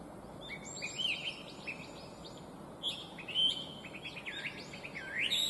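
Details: Chinese hwamei, an invasive alien species with a bright, complex song, heard as scattered short whistled and slurred notes amid other high chirps, growing louder with a clear looping whistle near the end.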